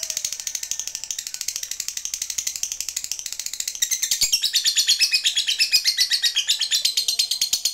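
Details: Fighter lovebird calling a rival in the prized long 'ngekek' style: a fast, rattling stream of high chattering notes that swells louder halfway through and keeps going without a pause.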